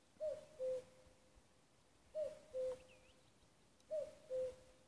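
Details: A common cuckoo at Nuuksio, Finland, on 6 May 2015 gives its classic two-note 'cuck-oo', the second note lower, repeated about every two seconds over a quiet background.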